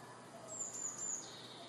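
A Eurasian blue tit gives a brief run of very high, thin whistled notes that drop into a lower, softer trailing note, over faint background hiss.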